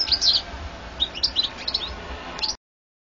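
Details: European goldfinch, recorded in 2014: high, bright twittering notes in short clusters, a few quick chirps and trilled fragments, ending abruptly after about two and a half seconds.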